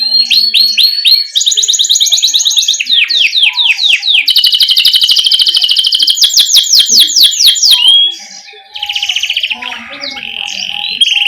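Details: 'Ngerol' canary song meant to coax young canaries into singing. Rapid repeated sweeping notes and buzzy trills run continuously for eight seconds, changing phrase every second or two, then a quieter warbling tail.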